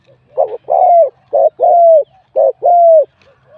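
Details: At a singing competition, a wild spotted dove with mid-to-large voice, given 87 points, repeats short-long coo pairs three times, the long note mellow and gently falling.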